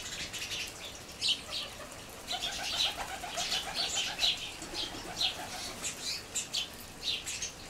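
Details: Group of house sparrows on the ground near a seed feeder, several flocks together making quite a noise; dense overlapping chirps and chatter, with a faint lower rapid stuttering series mid-clip.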